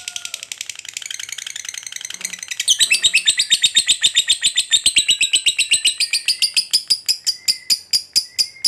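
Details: Fighter lovebird's ngekek panjang, a long trill played to agitate other lovebirds into calling; a soft, buzzy high chatter swells into loud, rapid, evenly pulsed shrill trilling that runs on without a break.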